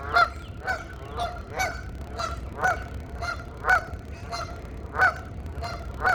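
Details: Geese honking back and forth in a mating call, around a dozen short nasal honks of varying loudness, roughly one per second, with a soft low hum behind.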